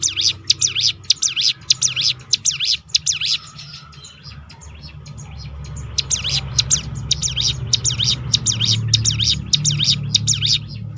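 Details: Hill prinia rolling 'tembakan' call for provoking other birds to sing: fast series of high, swooping chip notes, continuing throughout over a low rumbling background that grows louder.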